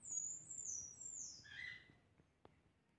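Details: Pectoral sparrow singing: very high, thin, drawn-out whistled notes sliding downward, followed by a lower, brief whistled phrase, then a few soft clicks over quiet background hiss.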